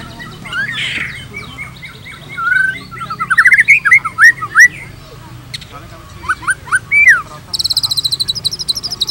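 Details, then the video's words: Varied white-rumped shama song used to coax other shamas into singing: short rising whistles in uneven bursts, a few sharp chips, and a buzzy high chatter at the end, over a soft low background murmur. "PANCINGAN GACOR !! MATERI mewah cocok untuk masteran semua jenis murai | shama bird"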